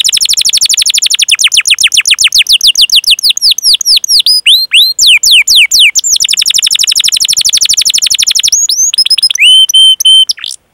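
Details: Domestic canary in full long song, sung as a training recording to prompt young, untrained or silent canaries to sing. Fast runs of repeated descending chirps, about four per second, with brief gaps. Closes with high steady whistled notes.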